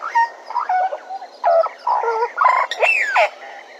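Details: Bennett's woodpecker recorded at Djuma: rapid harsh, nasal notes in an uneven series, ending with a loud slurred squeal that sweeps up and down.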